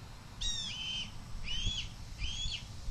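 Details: Juvenile red-tailed hawk calling to its passing mother for food near the nest in July 2023: three drawn-out, slightly rising screechy squeals roughly a second apart, with low rumbling background noise.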